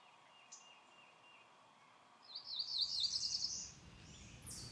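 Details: Cerulean Warbler singing from a perch very high in a tree beside a forest trail in Shenandoah National Park on the Blue Ridge. It gives a quick run of high buzzy notes rising in pitch, closing with a higher buzz, over steady outdoor background hiss.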